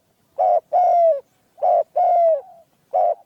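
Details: Cooing of a spotted dove with a small, clear voice, recorded for dove hunting: short hoarse note followed by a longer falling coo, the pair repeated twice, then another note begins.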